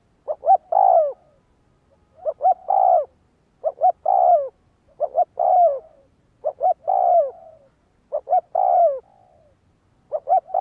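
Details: Repeated coos of a spotted dove recorded for training decoy birds: six phrases roughly every 1.7 seconds, each with two quick clipped notes and then a drawn-out falling coo, clean and uninterrupted.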